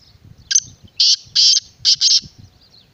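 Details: Loud, rasping call of a black francolin: one short note, then two longer buzzy notes and a closing double, delivered in about two seconds against a calm outdoor backdrop.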